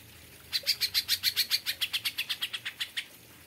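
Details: Greater Green Leafbird (cucak ijo) singing in an aviary in a kapas tembak song style: a rapid run of about eighteen sharp, high chipping notes, evenly spaced over two and a half seconds, clear against a quiet background.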